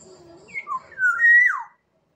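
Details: Black-naped oriole, Sumbawa: a mellow whistled phrase of two brief notes followed by a loud, liquid, drawn-out whistle that rises slightly and then falls away, with faint low murmuring underneath.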